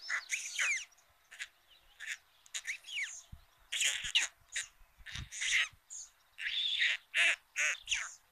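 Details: First feeding of the day at a white stork chimney nest in Ságvár, Somogy county, Hungary, 22 May 2022; short, harsh, squealing calls repeated in quick irregular bursts, several close together, with brief gaps.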